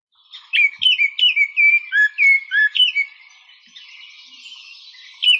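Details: Baltimore Oriole song, described as beautiful and melodious, played during a tour of Montezuma Audubon Center's forest. About ten clear, whistled notes sliding up and down, fluting and evenly spaced, then a soft rasping trail.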